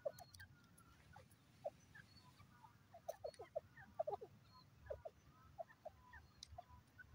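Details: Grey francolin uttering brief clipped notes in loose clusters, several quick notes close together midway, then scattered single notes, with faint high chirps and a low steady hum behind.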